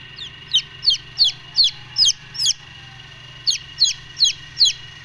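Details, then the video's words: Brooding chicks of the Golden Misri breed give two runs of high, falling peeps, six and then five notes, separated by a short silence, over a low hum. "Golden Misri Chicks Brooding"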